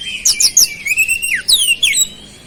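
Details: Oriental magpie-robin delivering flowerpecker-style mimicry in its lively song: high ticking notes over a sustained whistle, a sharp falling slur, then a cluster of bright descending chirps.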